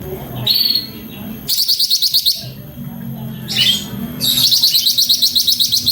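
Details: Cucak ranting in lively full song, bursts of buzzy high trills alternating with short rising whistled notes, a rapid rattling phrase repeated in pulses toward the end; faint low hum beneath.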